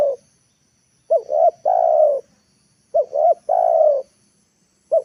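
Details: Spotted dove lure call, used to bring wild birds down to the ground: each phrase has two short rising-falling coos and then one long, steady, mellow coo. Phrases repeat about every two seconds in a quiet setting.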